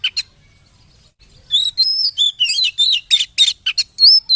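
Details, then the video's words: Caged-bird provoking song of a white-rumped shama: two short chirps, a pause, then a lively sequence of clear whistles, buzzy trills and sharp high notes. "Pancingan burung kacer langsung emosi dan bunyi"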